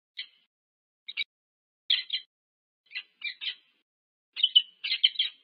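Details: Two wild peregrine falcons meet at their UC Berkeley nest in the USA, picked up by a nest camera on 25 August 2023. Sparse, rasping chip notes come singly and in pairs, then grow into a denser rapid cluster near the end.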